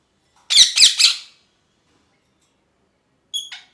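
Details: Pet parrot in a happy mood: three harsh, raspy chirps in quick succession, then silence, and two short, clipped squeaks at the end.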